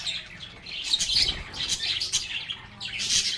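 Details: Lovebirds singing, playing and talking together: dense, overlapping high chirps and squeaky twitters with louder bursts near one and three seconds, a continuous busy flock chatter.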